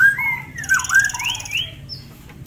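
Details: Tame forktail in ngitir song for song masters: a few loud, clear whistles sliding up and down, followed by softer arching whistled notes and a faint high buzz.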